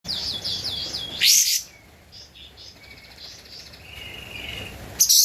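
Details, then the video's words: Javan white-eye singing vigorously, recorded as a master recording for training cage birds: a quick run of high rising notes, then a loud sharp burst, scattered faint chirps, and another burst at the end. "Kapas Tembak Gacor untuk Masteran (suara asli)"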